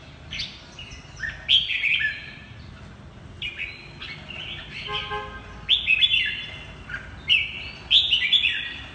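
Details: Red-whiskered bulbul, 'mơ hai mí lửa' type, in 'ché' style song: bright whistled phrases with rising and falling slurs, repeated in bursts roughly every one to two seconds, with a brief steady horn-like tone midway.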